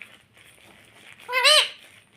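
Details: A single arched, nasal, harmonic syllable from a talking pet parrot, said to say "mummy", rising then falling over about half a second against a faint hiss.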